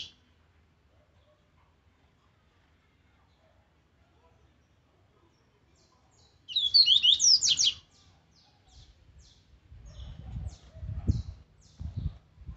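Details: Rusty-collared seedeater, an aggressive training song: after a long quiet stretch, one loud phrase of looping high whistles and fast strokes, followed by faint repeated ticks and low thumping noise.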